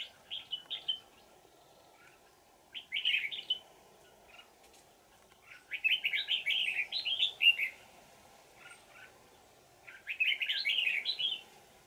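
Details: Wild red-whiskered bulbul from the forest, during decoy trapping on 20 December 2018, repeats rich bell-like twisting song phrases, each a rapid rolling chatter of whistled notes, separated by short pauses, over low steady background hum.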